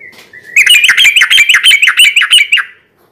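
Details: Rapid 'gacor garuda ropel' song of a sooty-headed bulbul, meant to lure other birds at night: a brief thin whistle, then a dense, quick run of bouncing chirped notes that ends sharply.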